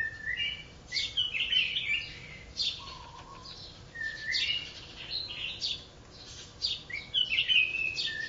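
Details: Newly wild-caught red-whiskered bulbul of mountain forest, one day in captivity, giving lively chirpy whistled phrases in quick bursts, rising and falling, with brief pauses between.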